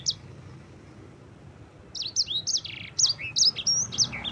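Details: A yellow-fronted canary sings, offered as a song tutor recording: one thin high note, a pause, then a fast, varied run of bright twittering and slurred whistles, several notes each second.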